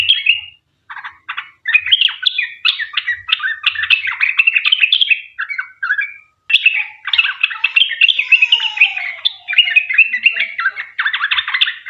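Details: Sooty-headed bulbul in long, rapid 'ropel panjang' song, played to lure other birds into singing. Twelve seconds of busy chattering, warbled phrases with a few brief pauses.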